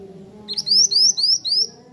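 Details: Zebra finch giving a short phrase of about five clear, upward-sweeping whistled notes, evenly spaced roughly four per second, over a faint low hum.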